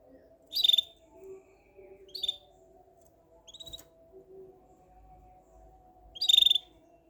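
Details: Canary giving short, bright chirps in four separate bursts, each a quick rasping note with a high tonal core, spaced irregularly over several seconds against a steady low mechanical hum.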